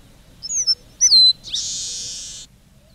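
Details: Red-breasted meadowlark song: a few thin whistled notes, then a sharp descending slur, and finally a long, harsh, high buzz lasting about one second, with no other sounds.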